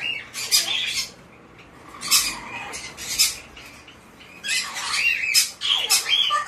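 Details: A hand-tame white-bellied caique chick, recorded indoors on 20 June 2024, gives harsh, high squawks in bursts of several notes, with short quiet gaps between them.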